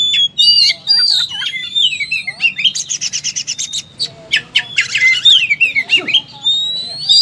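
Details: Fighting-style song of an oriental magpie-robin: loud rising and falling whistles alternate with harsh buzzy bursts and rapid chip series, delivered in a continuous varied stream.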